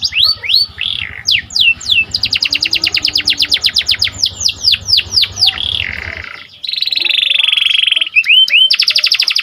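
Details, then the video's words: Panda canary, symmetrically marked, in energetic song meant to excite other birds. It begins with rapid downslurred whistles run into a fast rattling series, then switches to a steady buzzy roll with sharp sweeping notes at the end. "Meningkatkan Emosi Dengan Kicauan Burung Kenari Panda Gacor"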